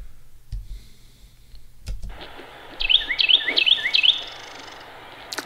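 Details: A Carolina Wren perched on a branch a few feet away on a late-January walk in Cabarrus County, North Carolina, sings on and on: loud rolling phrases of about four quick, sweeping two-part notes, with rustles from the camera's makeshift support.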